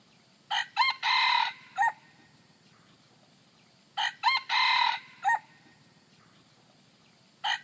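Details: Rooster crowing, recorded naturally without mixing: two full crows about three and a half seconds apart, each with two short clipped notes, then a long loud sustained cry and a short falling tail note. The start of a third crow begins at the end.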